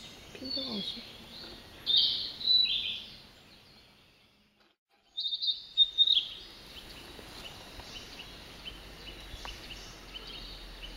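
A Narcissus flycatcher sings two brief, bright, high warbled phrases about four seconds apart, over a steady soft background hiss.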